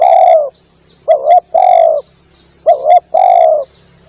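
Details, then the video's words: Cooing of a Spotted dove used to attract doves: a long coo, then two phrases of a short doubled note and a drawn-out, slightly falling coo, about one phrase every 1.6 seconds. "Bunyi pikat burung tekukur"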